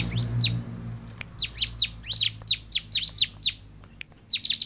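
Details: Bar-winged prinia singing, a recording meant to prompt caged prinias to sing: quick series of sharp, high descending chirps, about four per second, with brief pauses and a faint low drone.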